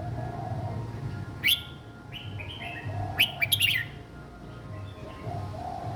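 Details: Red-whiskered bulbul, a young caged bird, singing a simple, easily copied phrase: a quick sharp chirp, short whistled notes, then a dense burst of ringing chirps, with a persistent low hum and soft cooing throughout.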